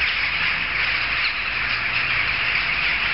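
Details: Big jackdaw gathering, loud from several streets away; a short stretch of relentless, overlapping squawky calls from a mass of birds, steady in volume throughout.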